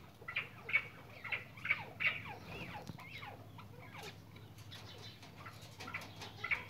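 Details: Barbary partridge calling in quick bursts of rasping, chattering notes, several loud ones in the first two seconds, then softer scattered notes and a final sharp note near the end.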